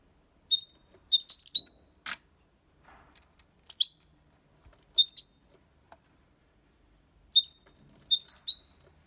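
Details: Copia Málaga song of a European goldfinch, played to stimulate young birds; short bursts of bright, quick high chirps and twittering notes separated by silences, with one sharp click near the start.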